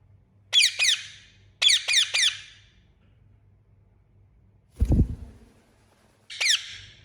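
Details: Indian ringneck parakeet in loud chirping bursts: groups of two or three shrill, harsh, rapidly repeated notes, a pause with a dull low knock, then another short burst.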